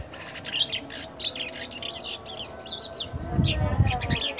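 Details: Black-winged myna, a market-bought caged bird in its first week of care, twittering in the early stage of song: steady series of short, scratchy, chattering notes repeated rapidly throughout, with a low rumble near the end.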